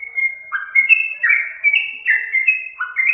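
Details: Yellow-vented bulbul song used for luring birds: clear whistles sliding between two pitch levels, broken by lower burry notes, in a short lively sequence against a silent background.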